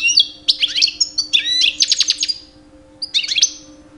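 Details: Two-year-old male European goldfinch singing in mating season to attract females: short clusters of sharp twittering chirps and tinkling notes, with a pause before a final brief phrase; faint hum underneath.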